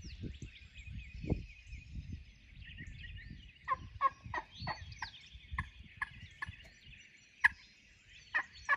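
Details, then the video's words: Pressured Wild Turkey gobbler accompanied by many hens, set up on near the roost at daylight during spring: a rattling gobble of quick pulsed notes, followed by sharper isolated notes later, over chirping songbirds and faint low rumble. "pressured Gobbler with hens"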